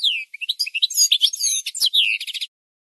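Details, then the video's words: Singing goldfinch on a tutor recording meant to teach other birds: a continuous rush of bright, high twitters, slurred downward whistles and buzzy rattles lasting about two and a half seconds, then silence. "The Best Singing Goldfinch"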